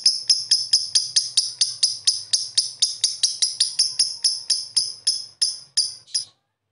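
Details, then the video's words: Lovebird chattering in the ngekek style: a long, even series of sharp, high, metallic notes, about four per second, slowing slightly near the end before stopping after six seconds. "Suara Burung Lovebird"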